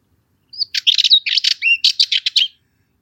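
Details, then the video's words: A Cyprus warbler gives a brief, scratchy song of rapid chattering notes mixed with a few clearer whistles, lasting about two seconds, with nothing else heard. "Cyprus Warbler - Songs"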